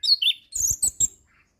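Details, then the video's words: Orange-headed thrush, a kept songbird trained for competition singing, gives a short burst of high whistled notes, first descending slurred phrases then three sharp clipped notes, with faint low thumps beneath. "Anis Kembang Pastol Dengan Suara anis Kembang Mapan"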